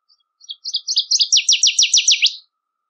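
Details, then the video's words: A Northern waterthrush song heard in nature: it opens with soft, spaced chips, speeds up and grows louder, and ends in a series of ringing down-slurred notes. "Birds Singing - Northern Waterthrush"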